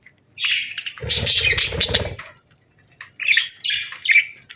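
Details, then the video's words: Parakeets chirping in summer: brief buzzy chirps, then a louder burst of rough chatter mixed with low rustling or flapping, followed by more scratchy warbled chirps. "Parakeets Chirping Sounds"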